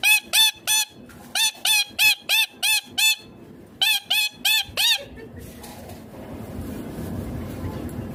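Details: Pet green ringneck parrot calling in bursts of loud, harsh screeches, roughly three per second in short groups, then falling silent after about five seconds, leaving soft background hiss.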